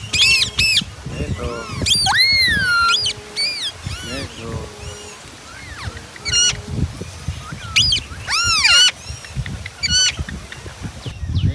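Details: Ringneck parrot letting out a stream of shrill looping screeches and chattering squawks, some drawn out, others clipped, with brief quieter gaps between bursts.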